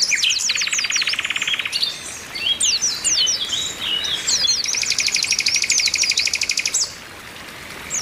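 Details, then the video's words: Group of Oriental white-eyes calling, played to make caged birds sing eagerly; dense high slurred chirps overlap with two long even buzzing rattles, one early and one late. "TERAPI PLECI OMBYOKAN BIKIN CEPAT GACOR"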